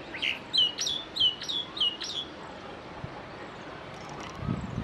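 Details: Common myna, also called Indian myna, singing: a run of about six sharp whistled notes with quick downward slurs, repeated roughly every quarter second, then quieter, with steady background noise.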